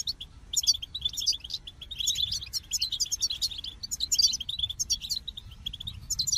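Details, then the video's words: Goldfinch singing bright, rapid twittering phrases with jangling high notes, the song swelling in short bursts roughly every second. "The Captivating Call of Goldfinches"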